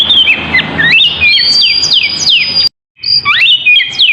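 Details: Poci-type oriental magpie-robin song used as a lure: sweet whistles and falling slurs, a sharp brief break in the sound, then rising and warbling notes resuming.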